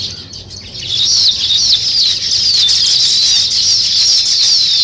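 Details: Weaver birds building nests: a dense, continuous chorus of high, buzzy chirps and twitters from many birds, steady throughout, with no other clear sounds.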